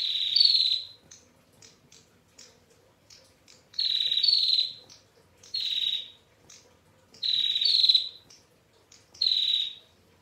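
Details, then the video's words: A female bar-winged prinia, a visiting bird, calls in the long ngetir style with a clear voice: five or six loud, high, sizzling buzzes at uneven intervals, with soft clicks and chips filling the gaps. "PRENJAK TAMU BETINA Gacor NGETIR PANJANG Suara JERNIH"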